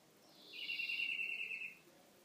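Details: European greenfinch singing: a single rolling trill of rapid notes lasting just over a second, with a brief higher onset and fading at the end, over quiet background hiss.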